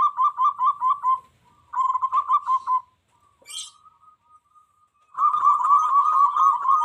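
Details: Zebra dove, local bird, singing hard to stir wild doves into answering and fighting. Two bursts of quick pulsed coos, a faint drawn-out note, a brief high chirp, then a loud, sustained run of rapid pulses.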